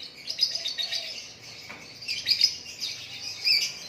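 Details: White-rumped shama singing naturally, bright high-pitched chirps and short whistles in rapid succession.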